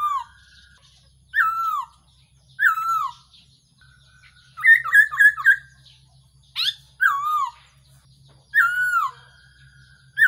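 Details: Black-throated laughingthrush whistles used as a trapping lure in Thailand: falling slurred whistles about every one to two seconds, a rapid burst of four notes midway, and a faint low hum underneath.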